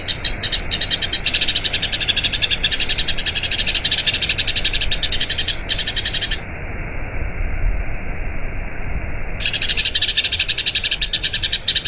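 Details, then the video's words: Eurasian tree sparrow's long rolling song, meant for training other birds: rapid high chirping for six seconds, a three-second lull with only a faint thin tone, then the chirping rolls on again. "Masteran Burung Gereja Ngerol Panjang"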